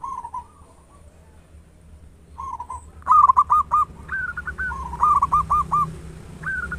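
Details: Local zebra dove with a big voice, singing actively as a lure for other doves; soft opening coos lead into loud, rhythmic runs of hooked notes in several phrases.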